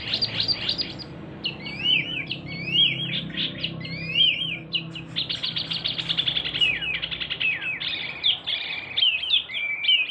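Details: A male local Javanese ashy tailorbird sings a lively, continuous stream of high, sharp chirps and quick rising and falling trills, repeated rapidly over a faint low background hum.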